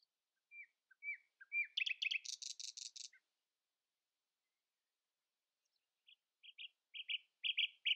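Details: Common nightingale in early-morning song, competing to be loudest: twangy downslurred notes lead to a dry rapid rattle, a pause, then a run of short repeated piping notes.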